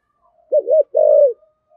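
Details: A single phrase from a spotted dove of the rare Vietnamese 'thổ' voice type: a dipping, wavering coo followed by one long, smooth, slightly falling coo, clear and close.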